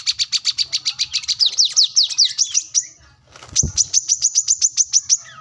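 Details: Plain-throated sunbird (wiceh, manggar), singing actively in search of an opponent. It gives a fast series of high ticking notes that shift into swooping slurs, then a brief pause and a thump before the rapid ticking resumes.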